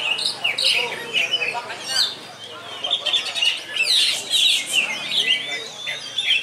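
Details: Yellow-headed greater green leafbird singing hard in a songbird contest, pouring out varied high whistles, chirps and trilled notes in rapid bursts with brief pauses, while a busy contest background murmurs underneath.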